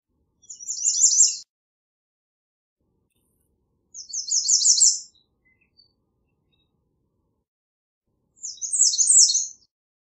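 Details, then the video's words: Three bursts of American redstart song, each about a second of rapid high repeated notes, spaced roughly every four seconds with silence between. "American Redstart Song! Call! Sound! Singing! - Candelita Norteña Canto"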